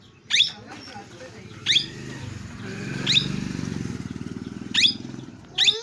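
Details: Parrot giving short sharp screeching calls at irregular intervals, five in all, over a steady low engine-like rumble.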